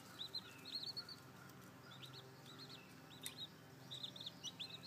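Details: Seven baby chicks newly hatched beneath a brooding hen; scattered high peeps in short clusters of two or three, separated by quiet gaps, with a faint background hum.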